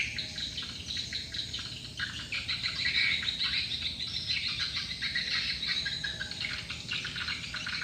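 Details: Large numbers of swiftlets flocking to a lure call; rapid high chirping and twittering, about three notes a second, overlapping into a steady chorus.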